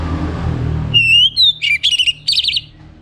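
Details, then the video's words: Orange-headed thrush song used as a morning lure to get kept birds singing: a clear rising whistle near the start, then a quick jumble of bright, clipped whistled notes, with low room rumble underneath. "Bunyi Dengar Pancingan PAGI HARI 99% Efektif bikin ANIS MERAH GACOR"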